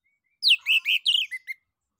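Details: Orange-headed thrush song used to prompt other birds to sing, a quick run of about seven loud whistled and slurred notes, some falling from high to mid pitch, ending with short clipped phrases.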